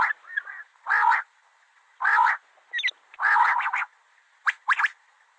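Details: A common quail (Coturnix coturnix), female call, gives harsh, rasping bursts about every second with short sharper notes between them, and no other sounds are heard.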